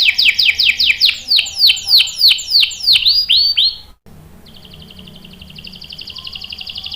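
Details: Canary song from a caged bird, a female in breeding condition calling the male: loud series of rapid descending sweeping notes repeated about three per second for four seconds, then a brief gap and a long fast buzzy trill.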